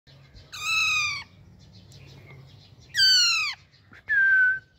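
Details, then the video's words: A young Alexandrine parakeet, a baby raw parrot, gives three harsh, nasal squawks in its natural voice, each dropping in pitch, spaced about every two seconds, with faint room noise between. "Natural Voice of Baby Raw Parrot"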